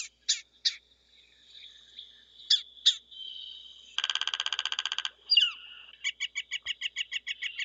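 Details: A woodpecker drums with its beak on wood, searching for bugs: one rapid, dry burst of about twenty taps a second lasting a second, amid high chirps and a quick series of sharp repeated notes.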